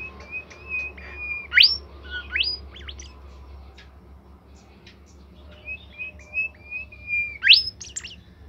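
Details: Bimoli bird singing continuously in its cage. Flat whistles are broken by sudden sharp upward sweeps and scattered clicks. The song pauses midway, then returns with more whistles and a loud rising note.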